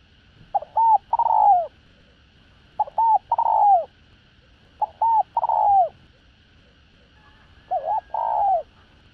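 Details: Spotted dove with the 'đồng rặc' voice style, giving a full sequence of calling, urging and cooing to lure other doves: four low, mellow cooing phrases, each a pair of short notes and a longer downward-curving coo, spaced about two seconds apart.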